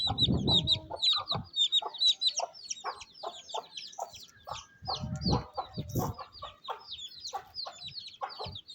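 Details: Rainy day in rural Pakistan as a mother hen feeds her chicks; a busy chorus of high rising and falling chick peeps, interspersed with brief deeper clucks and a few thumps.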